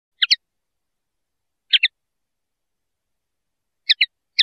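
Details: Common linnet song: short paired chirps with sharp, high notes, sounded in brief bursts separated by long silences.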